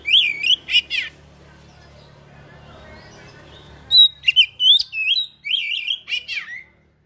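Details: Oriental magpie-robin song rich in rare fill-in material: whistled notes and sharp chips, a stretch of low background hum, then a busy string of varied high whistles and wavering chirps.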